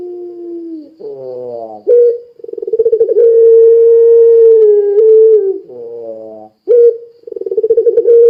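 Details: Pelung Barbary dove in strong song, played to coax other doves into calling: a low sliding note, a buzzy descending slur, a pulsing roll leading into a long level hoot, another buzzy slur, then short rolling coos.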